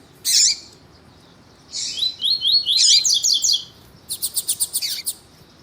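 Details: Double-collared seedeater male alongside a calling female, used by tournament breeders to stir the male; a lone sharp chip, then a fast twittering run of high notes and a quick series of clipped chirps.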